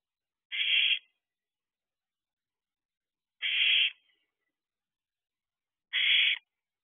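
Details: Barn owl owlets, ten weeks old, sharing their nest box in the small hours of a June night; three long, breathy hissing screeches spaced roughly two and a half seconds apart, otherwise silent.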